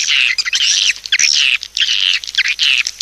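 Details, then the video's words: Swiftlet calling to lure others: high, wavering twittered phrases about half a second long, repeated roughly every half second with brief gaps between. "SUARA PANGGIL BURUNG WALET"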